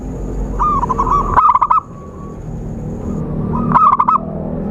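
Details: Zebra dove call from a bird-trapping lure recording: two bursts of fast stuttered coos, each sliding into a brief rolled phrase about two seconds apart, over low murmuring background noise and a thin constant high tone.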